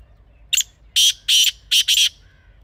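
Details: Black francolin, the kala teetar of Pakistan, recorded in a natural setting as a hunting call: five harsh, grating bursts in quick succession, the last two run close together, over a quiet background.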